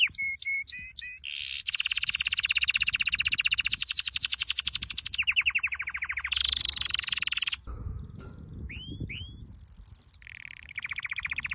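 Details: A canary sings a training song: brief chips, then long loud rolled trills changing pitch between tours, a pause, and a few upswept whistles with further trills.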